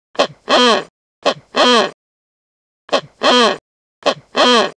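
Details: Repeated double-note calls of a wreathed hornbill. Each phrase is a short clipped note, then a longer harsh, honking bark. Two pairs come in quick succession, a pause follows, then two more pairs, with nothing else audible.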